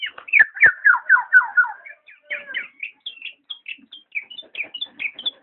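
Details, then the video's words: Black-naped oriole with a descending string of slurred whistled notes, followed by sparse, higher clipped chips. "burung kepodang"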